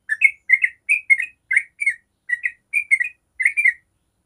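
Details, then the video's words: Yellow-vented bulbul singing the long 'ropel' style used as a lure for other bulbuls: bright, bubbly two-part chirps delivered rhythmically, about nine bursts, in a quiet recording. "Trucuk ropel panjang sangat jago bikin trucuk manapun langsung nyaut ropel"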